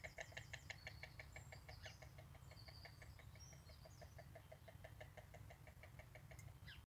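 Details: Storks clattering their bills to communicate, Zennewijnen, Holland, March 2018: a rapid, dry, woodblock-like rattle, slightly slower and steady, with a few high chirps from other birds and low background rumble.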